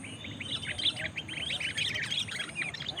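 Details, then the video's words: Sooty-headed bulbul competing against a rival bird during a luring match, giving a dense run of rapid, bright chirping and warbled notes throughout, with a faint low hum behind. "Pertarungan Pikat Kutilang"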